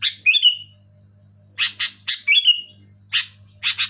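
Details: Persistent, loud sooty-headed bulbul: bright chirps and two drawn-out falling whistles, then paired sharp notes, all against a faint steady hum.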